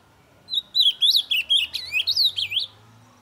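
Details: Ultramarine grosbeak calling and singing hard to spur other birds into song: about two seconds of quick, warbling whistled notes, each bending sharply up and down, with a soft low hum behind.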